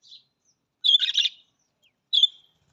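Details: Budgerigar with a faint opening chirp, then a loud burst of scratchy, buzzy chatter and a final bright whistled chirp that trails off.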